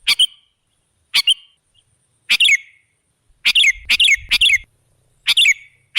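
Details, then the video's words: Used to attract other birds, a sooty-headed bulbul gives scattered short chirpy phrases, then a fast cluster of bubbly notes in the middle with a faint low rumble, before spacing out again. "Suara burung KUTILANG jebakan pemikat"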